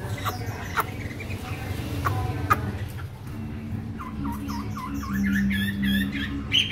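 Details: A tame, newly arrived captive Chinese hwamei, not yet in full condition, sings rapid repeated whistled phrases that loop up and down, starting after a few seconds of clatter over a steady low hum.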